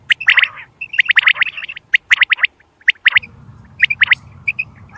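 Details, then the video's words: Quail calling, used to attract quail when hunting: clusters of sharp, high chirps separated by short silences, with a low rumble starting midway. "Batair ke shukar k Liye | Behtareen Awaz | sound Of | Quail Bird's sound"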